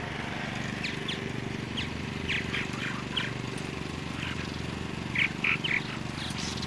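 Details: Purple martin giving short, sharp chirps in loose irregular bursts, with a brief louder cluster of three notes near the end, against a constant engine-like drone.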